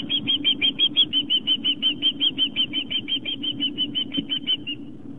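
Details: Osprey at a nest on Long Island, New York, on a live nest camera, September 11, 2007, 4:55 pm, as an adult delivers fish to its mate and two young; rapid steady series of sharp high chirps, about three per second, over a low hum.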